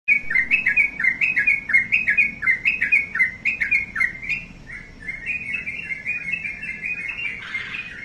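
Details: Sooty-headed bulbul kept as a pet bird, singing a fast chattering run of bright, slurred notes in quick succession, then softer, more even twittering phrases toward the end.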